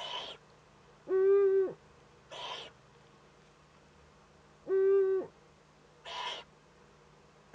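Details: Young Eurasian eagle-owl in its nest, northern Rhineland-Palatinate, Germany, 15 May 2013, during first contact with another owl: two tonal, harmonic calls, each about half a second long, alternate with softer hoarse hisses.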